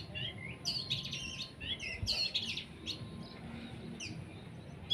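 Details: Long-tailed shrike sunned and sprayed with water from a spray bottle, singing a jumble of varied high chirps, short whistles and buzzy slurred notes in quick bursts, with a steady faint tone and low background rumble.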